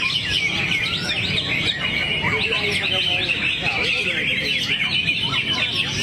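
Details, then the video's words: Greater green leafbird producing a dense, fast medley of high twittering and slurred whistles. Some lower chattering notes are mixed in over a low background rumble. "Cucak Hijau"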